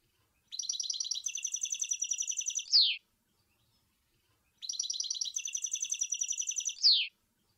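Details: European goldfinch singing at Sour El Ghozlane: two identical bright twittering phrases, each a rapid run of tinkling high notes ending in a sharp descending slur, separated by about a second and a half of silence.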